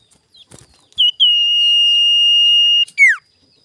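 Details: Sirtu lure song recorded in the morning to provoke rivals: one long, steady, clear whistle held for nearly two seconds, then a short, sharp down-slurred note. A few faint clicks come before it.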